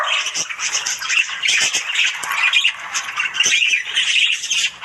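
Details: Morning budgie chatter: a thick mix of harsh squawks, clicking notes and chirps from several birds, loud and continuous with small dips.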